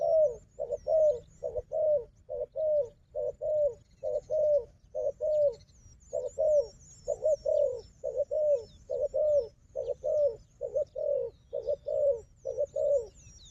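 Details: Long steady sequence of low double coos, roughly one phrase per second with a short gap near six seconds, from a combative wild dove and a strong decoy; faint high twitters above.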